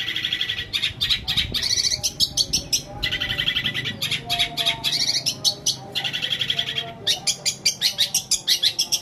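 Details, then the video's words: Long-tailed shrike pouring out long imitation passages of sparrow, petir and kuntilanak to stir silent shrikes; continuous buzzy warbling in long strands broken by short gaps, ending in a rapid series of sharp chip notes. "CENDET ISIAN GREJA PETIR KUNTILANAK COCOK BUAT PANCINGAN CENDET MACET BUNYI"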